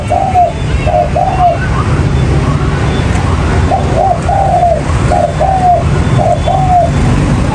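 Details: Spotted dove call used as a trapping lure: low soft cooing notes in short grouped phrases, repeated several times over heavy constant rumbling noise.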